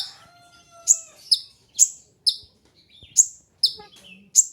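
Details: Sharp, piercing high chips from a kolibri ninja sunbird, used as a training and lure sound, spaced irregularly about every half second, with a faint steady low whistle at the start.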